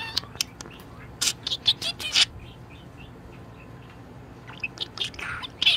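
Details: Pet budgerigar in a very good mood, giving short bursts of sharp high chirps and clicks, with a quiet pause in the middle before a few more scratchy notes at the end.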